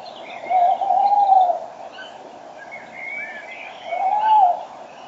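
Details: Tawny owls at 06:34 on 5 March 2013: a male very near the microphone and a female farther away. Two low, smooth hooting notes about three seconds apart, with songbirds twittering above in the morning chorus.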